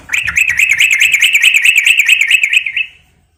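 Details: Female sooty-headed bulbul calling to a male: a rapid, even run of sharp chattering notes, about seven per second, sustained for nearly three seconds and then stopping abruptly, with faint low rumble underneath.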